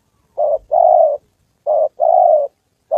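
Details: Loud spotted dove decoy in training in Gia Lai, Vietnam, during the 2 September holiday: a short coo followed by a long, even, throaty coo, given twice in quick succession.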